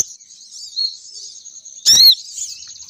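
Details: Sogon bird, female, calling to lure males down: a thin continuous high twitter with faint warbles, interrupted once by a loud sharp squeaky chirp.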